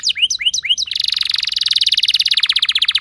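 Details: Canary rolling song used as a lure to make other canaries sing: four quick upswept whistles, then a rapid, even rattling trill that runs to the end.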